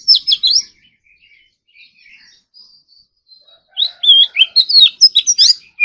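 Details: Competition-style morning song of an Oriental magpie-robin: a loud burst of whistles, a quiet stretch of soft scattered notes, then an energetic rush of twisting whistles and crisp clicks.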